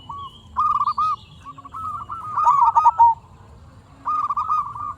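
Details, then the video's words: Zebra dove of a local strain in full song, used to stimulate quiet doves; clipped cooing notes run into a fast rolling trill, then a pause before a fresh staccato phrase starts, with a thin whistle faintly behind. "Perkutut Lokal Gacor RAJA PIKAT Ahlinya Bikin Semua Burung Perkutut Nyaut"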